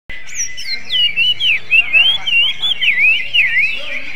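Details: Greater green leafbird singing in a kacer-like style: a continuous stream of quick, sweeping whistled notes, rising and falling, rich and varied, with a steady background hum.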